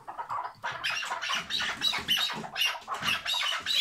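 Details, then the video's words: Hıngırma call of a tethered chukar partridge: a quiet start, then about seven rough, scratchy squawking notes in quick succession. "Keklik Hıngırması Süper Bağlı keklik sesi"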